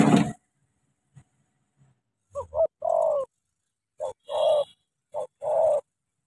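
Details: Spotted dove in Cà Mau, Vietnam: a decoy bird facing a wild bird. After a loud opening thump and silence, two coo phrases follow, each with short clipped notes leading into a longer, fuller coo.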